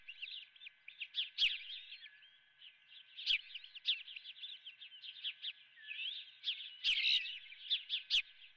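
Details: Breakfast time at an osprey nest, a live golden fish delivered; dense series of thin whistled chirps, louder clusters near the start and end, occasional sharp ticks and a low constant hum.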